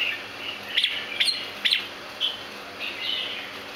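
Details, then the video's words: Bred red-whiskered bulbul of the rare Santa Claus variety sending out quick bright chirps, three sharp ones close together early on, then softer slurred whistled notes trailing off, with steady faint hiss behind. "EXTREMELY RARE SANTA CLAUS JAMBUL"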